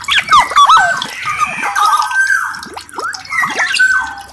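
Black-naped oriole giving a busy run of liquid, fluty whistles that slur up and down, with short downward-swooping notes mixed between them.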